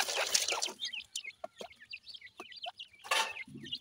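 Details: Captive black francolin chicks in Pakistan (dakhni teetar) feeding: a rustling burst, then a run of clear, upward-slurred high peeps with soft taps, and a second rustle near the end.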